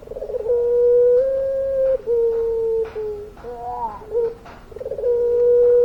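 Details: Long-voiced puter pelung dove in full song, giving sustained even coos of well over a second each, broken by a dip and a quavering trill, then another drawn-out steady note.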